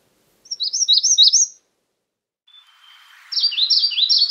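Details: Magnolia warbler singing two brief phrases of quick, high, downslurred notes, each about a second long, separated by a quiet gap with a thin whistle.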